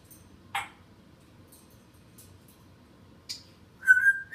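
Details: Pet African grey parrot, home alone while its owner goes to the kitchen, hoping for a snack: a short sharp sneeze-like burst, a brief hiss, then a level whistled note that rises at its end.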